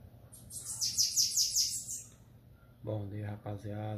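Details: Bananaquit giving its Belga-style song, a fast series of thin, high, buzzy sweeping notes lasting about two seconds, followed by a man talking.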